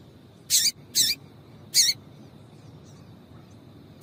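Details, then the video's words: Female Double-collared Seedeater calling to excite a male: three loud, clipped high chirps within about a second and a half, then quiet before one more chirp at the end. "Piado de Fêmea de Coleiro para Esquentar Coleiro"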